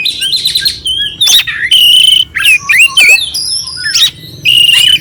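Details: Oriental magpie-robin giving a clear song with harsh fill-in notes, used as tutor song to rouse a listless bird: varied loud whistles and slurred phrases alternating with buzzy, rasping bursts.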